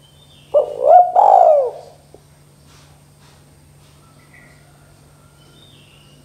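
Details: Spotted dove with a 'kuk 2' style call, played as a lure to make other spotted doves call quickly. A single mellow cooing phrase of a few rolling notes, rising and then falling, lasts just over a second, followed by quiet with a low steady hum.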